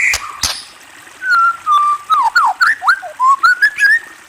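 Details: Whistled song of a white-rumped shama: clear sliding notes, some level, some swooping down or up, delivered in a lively varied sequence after two brief knocks at the start.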